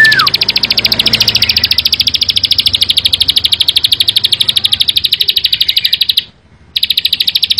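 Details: Prinia singing a fast, steady series of high buzzy notes, about ten per second, with a brief gap near the end before the rapid stream resumes; a short falling whistle opens.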